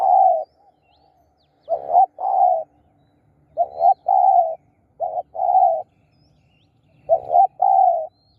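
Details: Spotted dove used as a decoy to lure wild doves, giving hoarse two-part coos: a short broken note, then a longer level coo. Four phrases spaced irregularly with quiet gaps between them.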